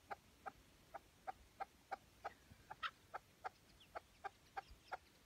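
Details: A tethered decoy chukar partridge calling during a partridge hunt in Şırnak, Turkey: a steady run of about sixteen hoarse, clucking chuck notes, roughly three per second, against a quiet open background.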